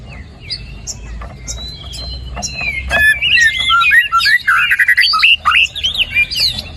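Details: White-rumped shama song for stimulating a quiet bird, starting soft and swelling into a rapid flourish of looping whistled notes and warbles, quickening toward the end.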